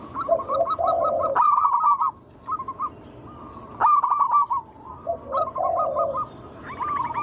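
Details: Wild local zebra dove song played to lure other doves: bursts of rapid staccato coos alternate with lower purring phrases and brief quiet gaps, the pattern repeating across the recording.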